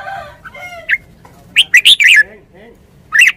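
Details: Red-whiskered bulbul, a Thai cage bird, giving a burst of short, bright, warbled notes in quick succession, with a brief lone phrase near the end and fainter harmonic calls from other birds early on.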